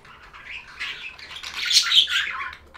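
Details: Budgerigar chirping: a rising stream of buzzy, warbled chatter that grows louder toward the middle, then fades.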